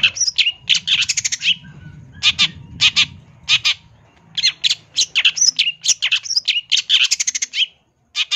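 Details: Long-tailed shrike singing a full-isian champion-style song for training other songbirds: rapid, varied chirps and rattles in quick bursts, interspersed with bright high whistles, over a soft low hum of background noise, ending after a brief silence.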